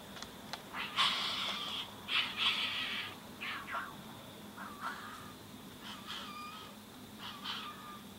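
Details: Tawny frogmouth chick fed by one parent in a Greensborough, Melbourne back yard, January 2017; rapid run of raspy squawks and short nasal calls, loudest in the first three seconds, then softer repeated notes.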